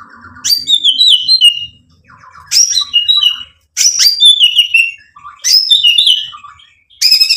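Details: White-rumped shama in song, giving separate phrases about every one and a half seconds, each starting with a low buzzy note and bursting into high sharp whistles and descending slurs.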